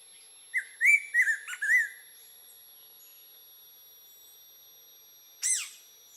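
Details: Bico de pimenta green-winged saltator singing in nature: a quick string of four or five short, slurred whistles packed into about one and a half seconds, then silence and a single sharp descending high note.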